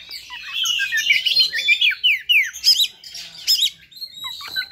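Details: Fighter song of an Oriental magpie-robin, high and used as a provoking lure for other magpie-robins; busy mix of whistled slurs, repeated downward sweeps and zigzag high notes, fluent and unbroken.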